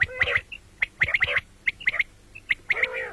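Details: Common quail: quick runs of bright, sharp notes in pairs and triplets, with a few softer nasal tones, repeating steadily over faint background hum.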